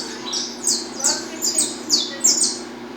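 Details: Peruvian saffron finch in 'estalando' song, giving loud, sharp, high descending chips about every half second, each with a clipped snapping quality, over a soft low hum.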